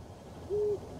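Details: A Eurasian eagle-owl perched on a construction crane at the former Barkarby airfield, Sweden, calls late on a January 26 evening. One low, steady hoot, about a quarter second long, sounds against quiet low rumble.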